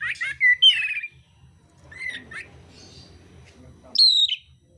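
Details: Mintal oriental magpie-robin in fighting song with rough fill-ins: harsh, squawky slurred notes at the start, quieter scratchy phrases in the middle, then a loud high falling whistle, with low rumbling noise underneath.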